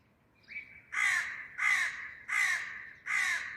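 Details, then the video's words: Crow calling loudly in a garden: a short lead-in note, then four harsh, broad caws spaced about every 0.7 seconds, each loud and raspy, with little background noise. "A crow, making a sounds loudly"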